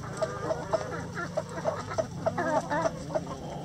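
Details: Coop chickens giving short, evenly spaced clucks about four times a second over a low steady hum.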